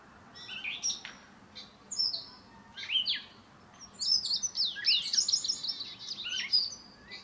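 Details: Indigo bunting, a bird still finishing its molt, newly arrived in the area this week, delivering scattered high sharp chips and then a fast run of buzzy, slurred notes near the end.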